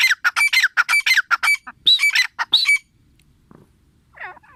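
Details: Female grey francolin (teetar) calling: a rapid series of loud, harsh, ringing notes repeated for nearly three seconds, then a pause and a fainter call near the end.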